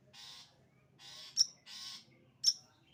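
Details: Long-tailed shrike giving 'sembur' song: long harsh scratchy rasps alternating with sharp piercing chips, about one burst per second.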